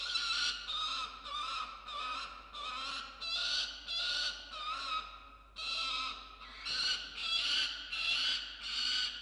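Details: Peregrine falcon at a nest-box camera, 6:09 am on 27 December 2022, screaming while protecting a freshly caught musk lorikeet: harsh, grating screams repeated roughly every second in a long series, with one brief pause midway.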